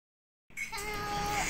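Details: Pet cockatiel, described as hungry and crying, giving one long, steady whistled cry that starts abruptly and holds an even pitch for about a second, with a hissy edge and slight rise in loudness toward the end.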